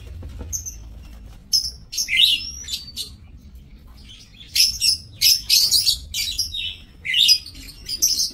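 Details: Lovebirds in an aviary breeding cage, recorded 5 July 2024; bursts of shrill, high chattering chirps and squeaks come in clusters after a quiet start, with several birds calling over one another and low background hum.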